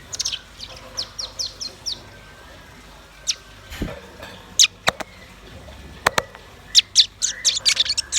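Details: Rapid, very high chirps in short runs from red-billed nuthatch and white-rumped shama, broken by loud sharp clicks and knocks, in an otherwise quiet setting.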